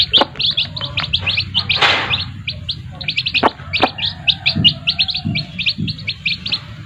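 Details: Several chicks peeping near their mother hens, high piercing cheeps tumbling in a fast, uneven stream, with a short flutter of wings, soft low clucks and scattered clicks.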